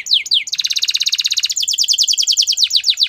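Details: Canary singing a training song: two falling whistles, then a dense rapid trill, switching to another fast series of sharp descending notes, bright and high-pitched throughout.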